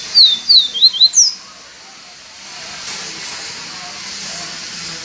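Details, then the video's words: Yellow-bellied seedeater in viviti song: a brisk burst of five thin descending whistles lasting just over a second, followed by several seconds of steady hiss and faint background noise. "papacapim PEITO AMARELO canto viviti PURO"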